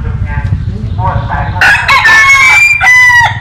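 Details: Rooster crowing in company with a myna that likes to play with chickens; after a murmured start, a loud, strained, harmonic-rich crow swells up and holds for about a second and a half over a low steady rumble.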